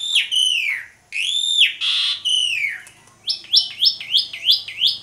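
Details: Asian pied starling in full, steady song while pumping its body, played as a lure for other starlings: long slurred whistles, a short harsh burst, then a quick run of rising chirped notes.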